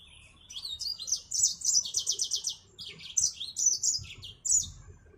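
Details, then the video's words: Yellow-fronted canary, the African Mozambique finch, delivering a lively high-pitched song. Rapid chirps run into a quick buzzy trill, then a run of bright warbled notes. "Burung Finch Mozambik Afrika"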